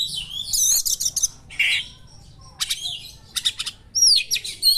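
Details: Sharp small-bird material sung by an Oriental magpie-robin: shrill twittering and fast stuttering clicks, a short raspy burst, then spaced chip series and high whistled slurs closing the phrase.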